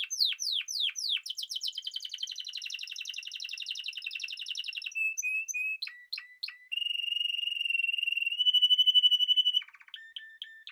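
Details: Song of a Spanish timbrado canary: a few sharp downward sweeps open into a long rolling trill, then clipped separate notes and a sustained, evenly pulsing metallic roll that rises slightly before ending in short notes.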